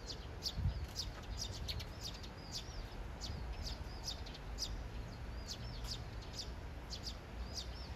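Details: Several Eurasian tree sparrows, three birds in a courtship love triangle, two pressing attention on a third; rapid high chirps and short rising-falling twitters repeated throughout, over a steady low rumble of background noise.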